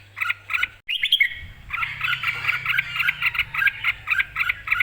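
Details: Red-whiskered bulbul, excited and ready to compete, singing in full: two chirped notes, a rising whistled slur, then a long, dense run of rapid bright syllables with a low rumble and hum behind.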